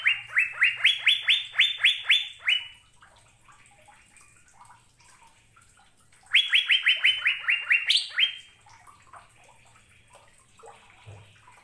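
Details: Asian fairy-bluebird song of rapid liquid whistles, each note swooping up then holding level, delivered in two bursts of about ten notes with a quiet gap between and faint low hum behind.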